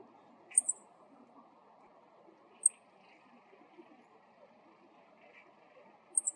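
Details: Ground call of a male Meadow Bunting: high, thin chi-chi double notes at the start and end, with a single sharp chip between them, set against a soft, steady low rumble.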